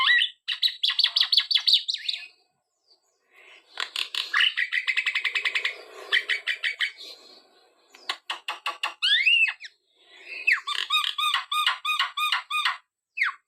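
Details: Javan myna singing vigorously: bursts of rapid repeated notes, buzzy rattling trills and sharp down-slurred whistles, with short pauses between phrases and a fast run of clipped, metallic notes near the end; no other clear sounds.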